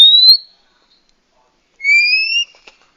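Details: Female Oriental magpie-robin call meant to stimulate a male to sing: the tail of one high whistle, a long pause, then a single bright two-toned rising whistle, with a faint click after it.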